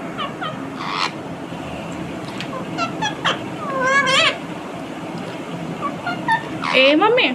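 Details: Pet talking rose-ringed parakeet chattering in mimicked speech, with short warbled syllables, rising and falling squeaky notes and a louder wavering screech near the end, mixed with a person's voice and room noise.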